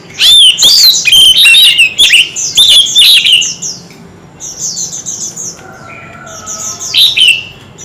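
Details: White-rumped shama in a fierce singing duel, voicing many varied notes: loud, rapid run of whistled and chattering phrases sweeping up and down for three seconds, then quieter, softer repeated high chirps and a final loud whistled flourish.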